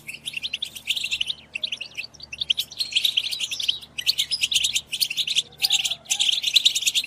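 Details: European goldfinch song used to stimulate goldfinches to sing and mate: dense, continuous tinkling twitters and buzzy chirps in rapid bursts, briefly pausing near four and six seconds, with a faint low hum underneath.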